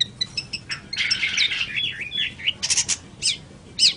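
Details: Master song for training birds by a long-tailed shrike (pentet cendet): a varied phrase of thin high ticks, a scratchy burst, then looping warbled whistles and sharp upward-curving notes.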